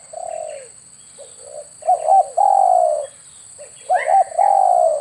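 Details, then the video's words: Spotted dove lure call for attracting birds during air-rifle hunting. Soft coos and longer falling notes overlap in quick succession. A faint chirp-like note appears near the end. "SUARA PIKAT BURUNG TEKUKUR/DERKUKU"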